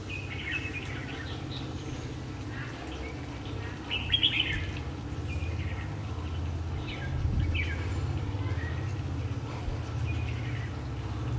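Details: Caged decoy red-whiskered bulbul used to lure wild bulbuls into a trap, recorded 3 February 2020 at the start of spring. Short bright chirped phrases come at irregular intervals over a steady low rumble, with people talking nearby.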